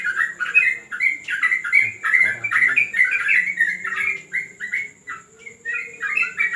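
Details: Chattering yellow-vented bulbul song during terrace training: quick liquid notes tumbling and bending in pitch, bunched into busy bursts that thin out near the end before picking up again, over a constant faint high whine.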